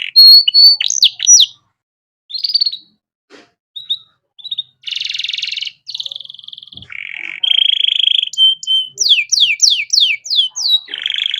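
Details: Canary song used as a master for young birds: short whistles and sweeps separated by gaps, a dense buzzy burst, low rattling trills, then a run of downward-sweeping whistled notes.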